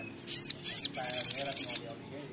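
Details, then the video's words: Little spiderhunter, known locally as sogok ontong or sogon, singing actively: a run of sharp, high, evenly spaced notes, with a few scattered chirps before it and quiet background. "sogok ontong (sogon) gacor ngotor ngleper"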